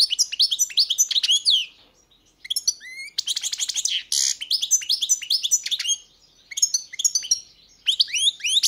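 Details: Long, nearly continuous European goldfinch song of tinkling chirps, trills and harsher buzzy notes. It is broken by a few short pauses and a brief noisy rasp midway.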